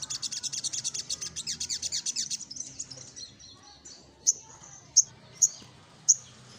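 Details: Little spiderhunter singing while seeking a rival: a fast run of high, even chirps for about two seconds, then a pause and four sharp, separated high notes.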